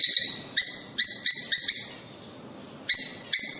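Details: Fischer's or rosy-faced lovebird making shrill, piercing chirps to prompt breeding. The chirps come in quick irregular bursts, then a short silence, then two more sharp calls.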